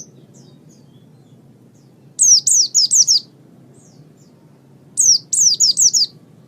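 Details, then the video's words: Oriental white-eye song meant for tutoring songbirds: two short bursts of four or five sharp, high descending whistled notes, separated by a few seconds of quiet with low background hum. "Ocehan Burung Pleci"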